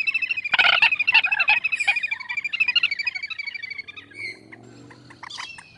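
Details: Common moorhen calling: a burst of harsh, broad notes, then a rapid, stuttering chatter of bright repeated notes, about three per second, fading after four seconds into a quieter series of short calls.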